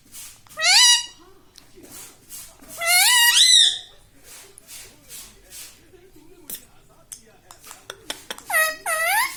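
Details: Pet green parrot, tagged as a ringneck, that talks and says mummy and papa: three loud, bright, harmonic utterances, each rising then falling, spaced a few seconds apart, with soft clicks and rustles between them.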